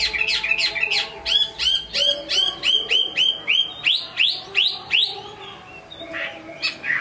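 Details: Chinese hwamei singing well, a bird from Hai Phong: a long series of loud, evenly repeated slurred whistles, about three per second, each note sweeping down then up, fading into softer notes.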